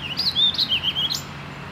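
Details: Warbling vireo singing at Mystic Lakes on Monday, May 14, 2018: one quick warbled phrase of slurred, rising and falling whistles, ending on an upward flourish, over faint low background hum.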